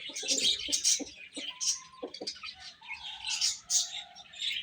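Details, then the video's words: Little chicks chirping while feeding: high, insistent peeps in bursts, mixed with lower, longer tones and some scratchy, clattering bits between calls. "Cute Chicks Chirping Sounds | Little Baby Chicken Eating"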